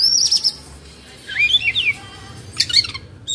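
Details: Agitated Oriental magpie-robin kept as a hobby bird in Indonesia, spreading its tail. A high thin whistle opens, then after a short pause comes a rising and falling whistled phrase and some high notes.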